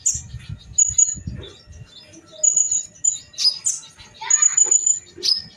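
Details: Sunbirds known locally as kolibri ninja in a fighting duel, Indonesia; scattered thin, very high whistled notes and sharp squeaks, sometimes doubled, between pauses, over low thumping background sounds.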